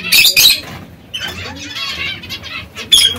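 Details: Pet zebra finches feeding on seeds and fresh lettuce give loud, nasal honking notes in a quick opening pair, then softer buzzy calls and a final sharp note.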